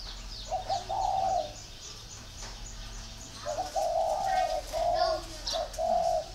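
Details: Spotted dove at a northern Vietnamese dove garden, voice style 'very taut'. Short grace notes lead into longer, full coos in two phrases, separated by a quiet gap, with a faint low drone behind.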